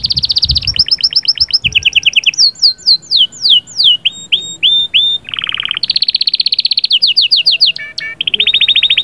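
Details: Canary, sahsahat and batbatat song to ready the female: high rapid trills switching to downslurred notes, a brief low buzzy roll, then long fast rattling trills, with faint low knocks at the start.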